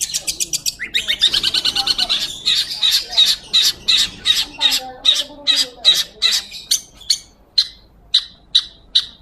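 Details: Long-tailed shrike in vigorous song, a tutor recording for magpie-robins: a rapid buzzy rattle, then harsh grating squawks repeated about every half second, thinning into spaced sharp notes.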